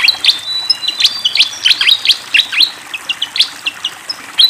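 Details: Lively fantail song beside flowing water: bright, high whistled notes and quick downslurred chirps in uneven bursts, some longer level whistles between, with a gentle water rush underneath throughout.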